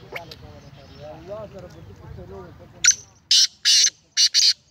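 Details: Black francolin (kala teetar), 19 April 2020: after soft chattering voices, a loud harsh grating call of four rasping bursts, with a brief note, a longer burst, then two short clipped notes close together.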